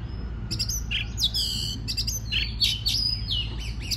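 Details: An Oriental magpie-robin sings to stimulate other birds: varied loud whistles, slurred descending notes and quick chattering bursts follow one another closely over a faint low hum.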